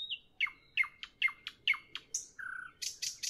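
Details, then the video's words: Nightingale singing in the evening: a run of clear repeated down-slurred whistles about three per second, then a long level whistle and loud harsh rattling notes; quiet background. "Evening nightingale, nightingale song, nightingale"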